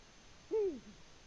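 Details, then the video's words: Eurasian eagle-owl at the nest, Latvia, 14 February 2020, giving a single smooth, arching hoot that rises, holds and falls away over faint background hiss. "Eagle Owl, Latvia 2020-02-14 Bubo in the nest"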